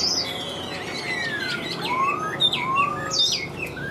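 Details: Chinese hwamei, a caged bird that sings nonstop once its cage is hung out, delivering rich slurred whistles: long falling glides, rising sweeps and sharp rapid upslurs in varied, overlapping phrases with little pause, over faint background hiss.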